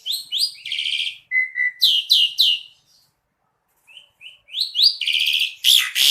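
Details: Asian pied starling in lively song: sharp chirps and a buzzy trill, soft paired whistles, three loud strident notes, a two-second silence, then rising chirps and a harsh rasping finish.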